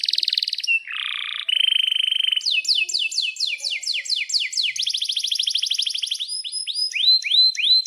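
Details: Atlantic canary singing long rolls, offered as tutor song for young canaries. Varied tours run together: a buzzy phrase, a steady whistle, repeated down-slurred sweeps, a rapid trill, then up-swept notes.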